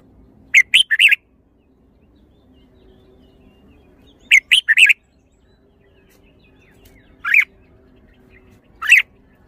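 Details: Red-whiskered bulbul repeating a quick three-note whistled phrase twice, about four seconds apart. Two single slurred notes follow at wider intervals.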